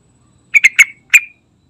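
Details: Lure call of a trucukan, meant to set flock-kept trucukan singing: three quick sharp chirps with ringing tails, a short gap, then a fourth strong chirp trailing off.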